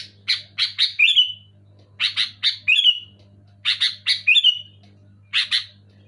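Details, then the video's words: Sooty-headed bulbul calling loudly and clearly: three groups of harsh, buzzy chirps, each run of two to four quick notes ending in a brighter slurred note that falls away, with pauses between groups over a low steady hum. "Suara burung kutilang gacor keras jelas"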